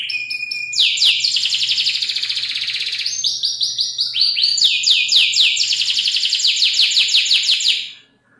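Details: Canary song for training other songbirds, opening with a steady whistle, then long rapid trills and bursts of fast repeated notes before the singing stops abruptly, with a faint low hum.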